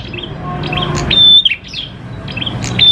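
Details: Brief burst of lure song from a prinia: soft chirps, then one piercing high whistle snapping into a quick falling chirp, and the start of another whistle at the end.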